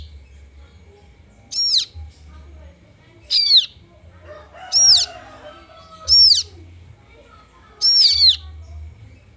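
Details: Kaso kaso bird chick begging: a high, thin, downward-curving squeal repeated about every two seconds, five calls with quiet gaps between, and faint low background noise.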